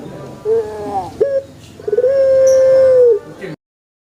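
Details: Pelung chicken in a banana plantation giving a long crow: a short stuttering start, then one steady drawn-out tone held for over a second before it drops away.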